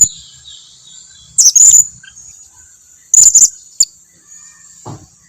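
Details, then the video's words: Lure call of a blue-crowned hanging parrot intended to make others respond: two short high buzzy trills and a single sharp chip, spaced by pauses. "Suara pancingan serindit ini dijamin serindit lain yang jarang berbunyi pasti langsung nyahut"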